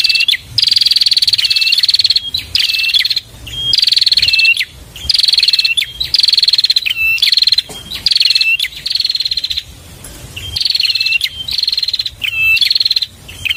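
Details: Bar-winged prinia singing continuously. Repeated high trilled phrases, each with a falling sweep and a dipping lower note, come roughly once per second, with a few brief gaps between series.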